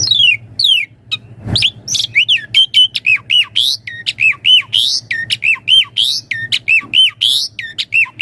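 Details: Javan pied starling singing energetically with full variation, meant as a daily master song and starling lure: rapid string of sharp whistled notes and squawks repeated in quick succession, with one brief noisy burst near the start.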